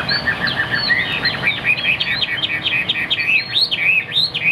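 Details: Caged Chinese hwamei singing a rapid, unbroken chain of bouncing whistled notes that loop up and down, about a hundred phrases a minute, loud and clear.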